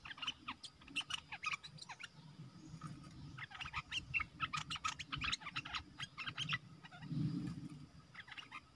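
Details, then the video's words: Decoy red-whiskered bulbul in a cage luring wild birds, 12 September 2021: almost continuous lively chatter of quick, varied chirping notes, briefly pausing near the end, over low background rumble and a steady insect hum. "Suara pikat merbah lekir gacor"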